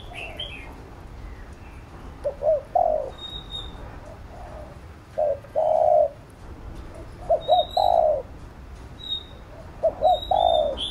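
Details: Spotted dove cooing to train a captive young dove: scattered soft phrases of quick stuttering notes ending in a drawn-out coo, separated by pauses, with thin high whistles of other birds.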